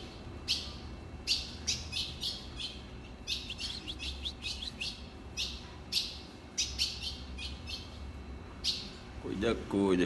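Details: Ultramarine grosbeak giving a long series of sharp, high chirps, some single and some in rapid clusters, irregularly spaced, ending with a man's voice speaking Portuguese close by.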